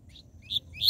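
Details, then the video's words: Fragment of a captive double-collared seedeater's TUI TUI ZEL ZEL song: three short, high, upward-sweeping whistled notes, growing louder, against a quiet background. "COLEIRO e PAPACAPIM CANTO TUI TUI ZEL ZEL"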